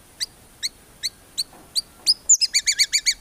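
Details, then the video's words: White-rumped shama from a songbird training recording full of 'tembakan' phrases; five sharp, evenly spaced high chips, then a quick run of about seven rapid, bright notes. "MURAI BATU GACOR FULL ISIAN TEMBAKAN MEWAH GAK ADA NGUKLUK NYA"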